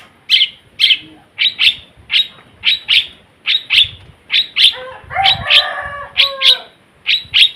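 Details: A singing long-tailed shrike that mimics other sounds: a steady series of sharp, scratchy chirps about twice a second, interrupted midway by a richer, tonal warbled phrase.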